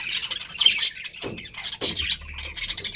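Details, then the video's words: Budgies kept as a colony with a breeding pair, giving busy scratchy chirps and short squawks in quick succession, a few louder sharp notes standing out from the chatter. "Colourful Budgies Chirping Sounds"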